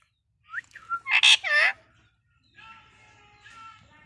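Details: Talking pet parakeet from Bangladesh: a short burst of harsh, speech-like syllables with a rising whistled onset, then quieter rasping sounds.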